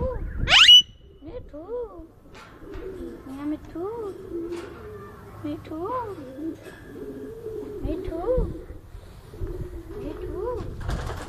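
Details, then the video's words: Talking rose-ringed parakeet in Bahria Town, Lahore, Pakistan: a steady run of repeated nasal, speech-like syllables with a wavering pitch, about one every second, opening with a brief harsh shriek. "Ringneck Parrot Talking"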